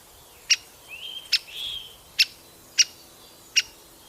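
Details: Sharp, loud 'kik' calls of a great spotted woodpecker at the nest, five evenly strong notes under a second apart, with a brief soft whistle from another bird between them.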